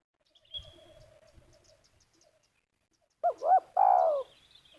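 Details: Decoy spotted dove near Liwa, West Lampung, Indonesia, set to lure wild doves for trapping, delivering one phrase of two quick hooting notes and a longer rolling coo, after faint rustling, a thin whistle and soft chirps.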